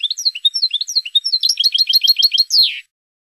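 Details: European goldfinch singing a Spanish-style phrase for training cage birds: swooping, liquid notes in short groups give way to quick tinkling twitters, closing on a harsh, buzzy downslurred note.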